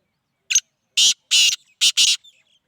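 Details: A black francolin gives its harsh, scratchy call: one brief note followed by four broad, rasping bursts about a third of a second each, ending in faint trailing chirps.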